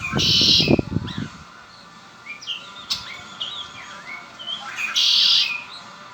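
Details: A captive red-winged blackbird delivers two harsh buzzy trilled songs about five seconds apart. Low thumping noise comes at the start, and sliding chirps are heard between the songs.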